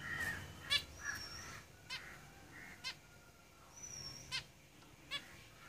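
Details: Caged zebra finches making a run of nasal call notes at irregular intervals, mixed with thin high whistles and soft chatter.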